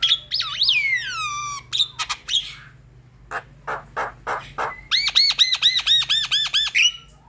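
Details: Loud Javan myna song: a looping, sliding whistle falling away, scattered harsh notes, a series of rasping squawks at regular intervals, then a quick string of ringing harmonic chirps repeated about three per second.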